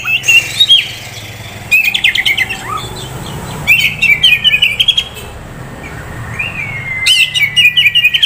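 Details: Oriental magpie-robin, a prospect bird from a Kisaran bird dealer, sings short bursts of fast jumbled notes with falling slurs, separated by quiet gaps, closing with a long falling whistle and trill.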